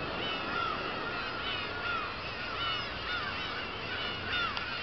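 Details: Black-tailed gulls at Kabushima on 2 August 2012, after a fireworks display: many overlapping mewing, downslurred calls from a crowded colony, repeated roughly every second against a steady hiss of background noise.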